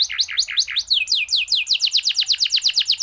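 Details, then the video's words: Canary in the long-roll style with unique phrasing, for tutoring: repeated V-shaped dipping notes about four a second, then a rhythmic run of high, descending slurred notes, all clear and loud. "cuit cuit kenari gacor gerol panjang cengkok unik dan mewah cocok untuk masteran"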